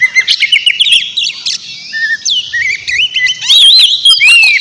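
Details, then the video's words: Oriental magpie-robin in loud, busy song intended to draw a rival's answer: scratchy chatter and clear whistles, a short pure note, then louder looping whistled phrases near the end. "Terapi suara KACER GACOR Ribut buat PANCINGAN KACER Lawan Langsung NYAUT"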